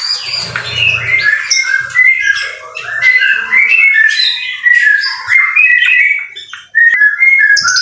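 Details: White-rumped shama, called murai batu, singing in rain in a masteran recording. Melodious whistled phrases glide up and down, interspersed with sharp chips and brief pauses. Faint low sounds appear early.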